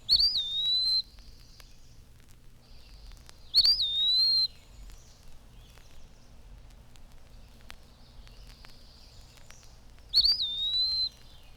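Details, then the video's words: Eastern Wood-Pewee singing all day from shade trees after the morning chorus, a plaintive, drawn-out whistle calling its name: three slurred high whistles, each rising, dipping, then holding about a second, spaced several seconds apart over soft background hiss. "The morning chorus has subsided now, but all day long we can hear from the shade trees the plaintive, drawn-out whistle of the wood pewee, calling its name."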